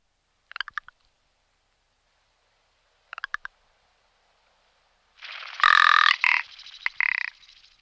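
Rock ptarmigan: two brief dry ticking rattles a few seconds apart, then a loud, harsh, belching croak lasting over two seconds.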